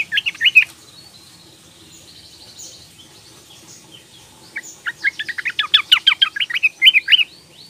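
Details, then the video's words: Sooty-headed bulbul, young female calling to males as a lure: a short burst of chirps, a long quiet gap, then a fast rattling chatter of sharp notes ending in a few slurred chirps. "PANCINGAN TRUCUKAN BETINA MUDA memanggil jantan trucuk malas bunyi jadi ropel gacor"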